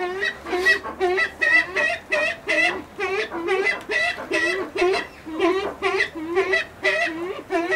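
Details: Brown eared pheasant kept at a pheasant breeding farm, giving loud, harsh, croaking calls in rapid bursts, about two per second, each note grating and slightly rising-falling, with little background sound.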